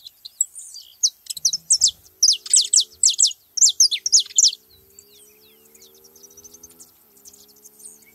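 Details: Saffron finches gathering at a feeding spot; high, sharp descending notes repeated quickly for about three seconds, then softer scattered chirps and a faint low hum in the background.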